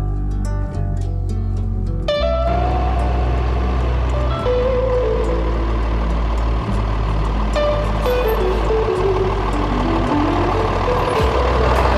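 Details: Steady low vehicle engine rumble with music playing over it, and no animal calls heard.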